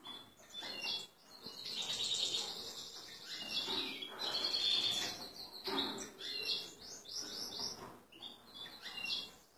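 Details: Worked-up male European goldfinch ready to pair with a female canary pours out a lively jumble of high tinkling chirps, buzzy trills and clipped notes in several surging phrases.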